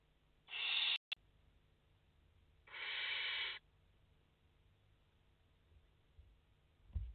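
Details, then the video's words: Barn owl nestlings, five in the nest on 29 August 2021, seen on a live camera: two breathy, rasping hisses about two seconds apart, a brief sharp click between them and a soft thump near the end. "Chouettes effraies en direct - Płomykówki - Obecnie w gnieździe 5 piskląt"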